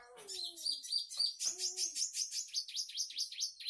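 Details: Red siskin delivering a mimicked song learned from tutor recordings of other birds: a low descending whistle and short chirps, then a steady series of rapid buzzy down-swept notes repeated about four times per second.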